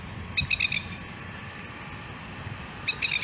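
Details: Masked lapwing, also called masked plover, with its family giving alarm calls to protect a chick: two short bursts of harsh, rapid staccato notes, the second near the end, over low background rumble.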